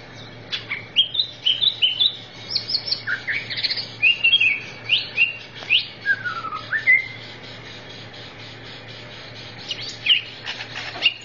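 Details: Greater green leafbird in a songbird training recording, delivering a lively stream of short whistles, upslurs and downslurred notes, some mimic-like, with a falling slurred phrase near six seconds and a quiet pause before resuming; low background hum.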